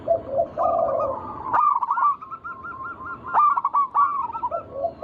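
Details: Zebra dove song from local wild birds, used to lure other doves to sing: a low soft coo phrase, then a series of quick rolling, repeated coo notes in bursts.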